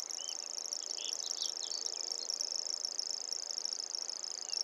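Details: Grasshopper warbler reeling throughout, a thin, even, high-pitched mechanical trill like a fishing reel or cricket, steady in pitch and volume, with a few faint slurred notes from other birds behind.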